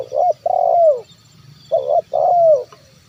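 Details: Terkukur, the zebra dove, cooing as a lure for wild birds: two soft phrases, each a brief coo followed by a longer warbling coo that slides downward, with faint low background hum.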